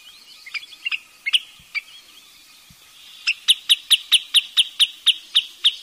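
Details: Wood sandpiper: a few scattered sharp high notes, then a steady series of about twelve clipped piping calls, around four per second, over a quiet background.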